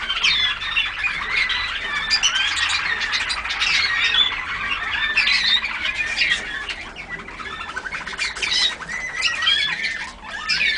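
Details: Young Malinois (Waterslager) canaries, several birds, recorded 14 August 2009: a dense, continuous mass of overlapping chirps, trills and warbling phrases, bright and high, with no pauses throughout.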